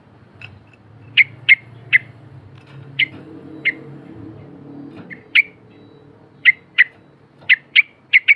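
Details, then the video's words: Yellow-vented bulbul, a lively singer, used as a lure to prompt silent bulbuls to sing: crisp, short chip notes spaced irregularly, sometimes in quick pairs, over a soft low hum. "TRUCUK BISU AUTO BUNYI ‼️TRUCUK GACOR GARUDA NGEPAK NGIKLUK"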